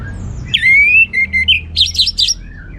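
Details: Caged orange-headed thrush from Singaraja, North Bali, in lively 'ngeplong' song: a long bright whistled note that slides level, followed by short broken whistles and a cluster of quick zigzag twitters.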